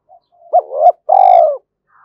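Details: Spotted dove cooing to bring wild doves in: a short hoot, a rising slurred note, then a long, vibrating, downward-sliding purr.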